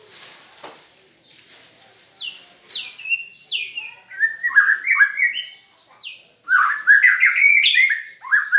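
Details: White-rumped shama, unusual-sounding song: a series of downslurred whistles repeated about every half second, building into a dense rapid warble.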